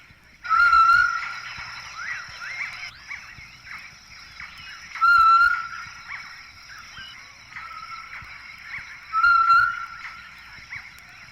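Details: Rufescent tinamou, often heard but seldom seen, calling from the brushy woodland floor in Sumidero Canyon, Chiapas, Mexico: a pure, haunting metallic whistle about every four seconds, three times, over insect buzzing and other birds' twittering.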